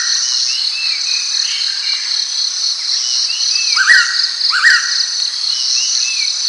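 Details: A pitta gives two clear upslurred whistles near the middle, while many soft downslurred notes from other birds scatter across a loud, steady insect chorus.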